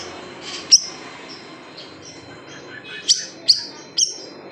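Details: Large siri-siri bird tutoring song in the 'tembakan pedas' style: a single shrill chirp, a quiet pause with soft faint notes, then three more sharp high chirps near the end over low background noise.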